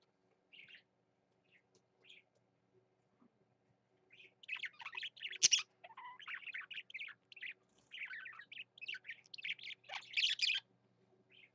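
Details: A male budgerigar, or parakeet, singing energetically: a few scattered short chirps at first, then from about four seconds a dense, rapid, chattering warble of squeaky, buzzy notes and clicks that runs almost to the end.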